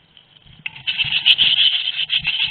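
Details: Eurasian blue tit nest at Théding on 22 May 2021, both parents feeding the chicks; near silence, then an abrupt burst of high, continuous buzzy squeaking from many voices that rises and pulses until the end.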